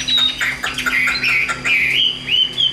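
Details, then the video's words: Hand-tamed captive Chinese hwamei singing a loud, rich run of varied whistles with rising slurs and quick trills, almost without pause, over a faint steady low hum. "CHIM THUẦN SÁCH TAY HÓT HÓT HÉT OK"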